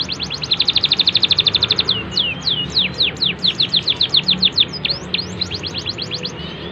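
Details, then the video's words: Canary singing good cengkok phrasing for tutoring young birds: a rapid, even trill of sharp downslurred chips, then slower, looser falling and rising whistled notes. "KENARI cengkok bagus cocok untuk MASTERAN PAUD"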